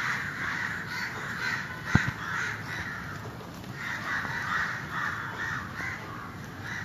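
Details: Many crows cawing together as a community, calling other crows; harsh, rough caws overlap in uneven bursts, with a sharp knock near the two-second mark over a steady low rumble.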